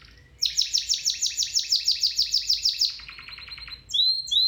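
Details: Training song of a domestic canary: a fast rolling trill of about a dozen loud bright pulses, a lower softer rattle, then clear high whistled notes.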